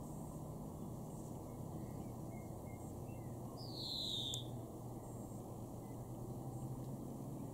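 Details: In a Weener garden in far northwest Germany, May 2021, a European greenfinch gives one stretched, buzzy, falling note midway through, alone against a quiet hum with faint scattered background sounds.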